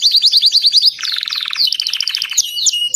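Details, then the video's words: White crested Belgian canary singing: fast trills of rising notes, then a lower buzzy rolling stretch, ending in sharp upswept whistles. "Canário belga branco de topete cantando"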